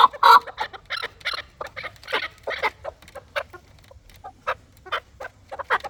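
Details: Chukar partridges kept for fighting, uttering loose, irregular clucking notes, a loud burst at the start, then sparser chucks spaced through the rest.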